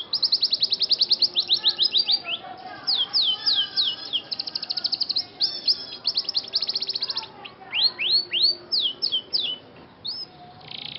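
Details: Trained Scotch Fancy canary giving long rapid trills of repeated falling notes, then slower rising-falling swoops, ending in a short buzzy rattle.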